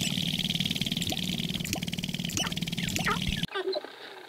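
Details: Dancing sharp-tailed grouse at Wainwright, Alberta, in 2015, giving short clucking and whooping calls, some sweeping upward, over a steady rattling, wind-like rush that cuts off abruptly near the end.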